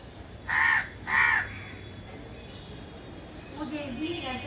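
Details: Crow calling: two loud, harsh caws about half a second apart, followed by quieter murmuring voices and low background noise.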